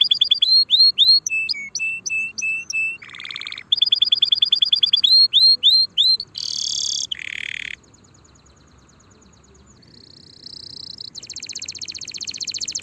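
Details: Canary song for early tutoring of young birds ahead of next season. Repeated slurred whistles and a buzzy burst lead into a harsh rasping roll, then near silence before a high buzzy trill returns.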